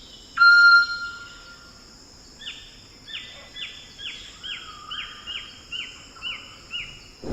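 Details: A Moluccan eclectus, a parrot said to reach 110 dB, gives one loud, level whistle, then about nine sharp, down-slurred chirps, roughly two per second, over a steady high insect-like hiss.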